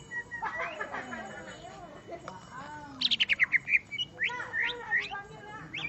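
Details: Greater green leafbird answering a rival: a low background of overlapping whistles, then a rapid string of sharp descending notes and a lively mix of high slurred whistles and chirps.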